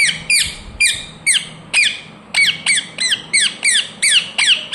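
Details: Ringneck parrot screeching steadily: loud, shrill, down-slurred squawks repeated about twice a second in an unbroken, insistent run.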